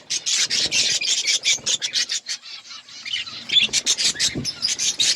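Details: Outdoor colony of breeding budgerigars producing a rhythmic stream of loud, scratchy chirps, several per second, over a chattering background of many birds.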